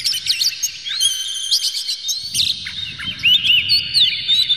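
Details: Oriental magpie-robin in an emotional display, spreading its tail and fluttering, singing a dense run of clear, sharp whistles and quick chirps, with sweeping notes and rapid trills over a faint low hum; meant to provoke other magpie-robins into singing.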